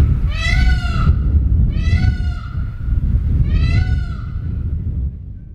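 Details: Free-roaming Indian peafowl calling in the background on a morning while a male and female preen each other: three loud, nasal, wailing calls with rich harmonics, each about a second long, repeated roughly every 1.6 seconds over a low rumbling background.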